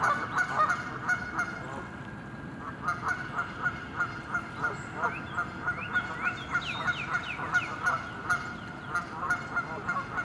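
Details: Flock of Canada geese (Branta canadensis) in winter at the west bay of Lake Conestee Nature Park, honking continuously with nasal, overlapping calls several per second and a few higher squeaky notes mixed in.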